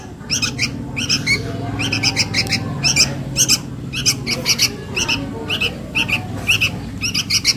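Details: Young sooty-headed bulbul begging its parent, a lure sound: continuous series of raspy paired bursts, about two per second, over a noticeable low rumbling background.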